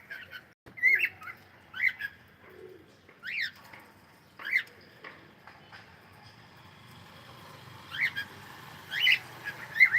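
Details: Cockatiel calling with short rising chirps near mid pitch, some sweeping up sharply, spaced irregularly with quiet gaps, a low brief murmur around the two-and-a-half second mark.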